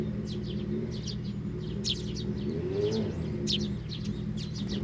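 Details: Sparrows taking food from a hand and feeding nestlings at a Tenmangu shrine, 18 May 2024; quick high chirps in clusters over a loud, steady low rumble.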